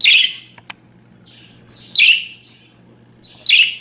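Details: Budgerigar chirps meant as tutor sound for other birds: three rasping chirp bursts about one and a half seconds apart, with a soft click and low steady hum in the background.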